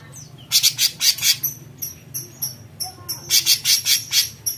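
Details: Cucak cungkok bulbul in besetan voice, a string of rough, pulsed rasping bursts repeated in quick runs, interspersed with clear high whistled notes and short pauses.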